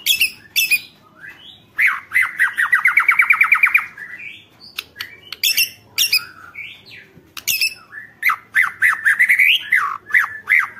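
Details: White-rumped shama singing in full, energetic form to provoke other shamas into song: sharp high notes, then a fast rising series of repeated whistled notes, followed by varied sweeping phrases and chattering bursts.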